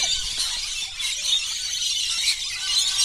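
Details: A flock of over 100 lorikeets, which gather every day for a daily bird feeding at a holiday park on Burrill Lake near Ulladulla, NSW South Coast, screeches nonstop in shrill, harsh, high chatter that merges into a dense ringing din.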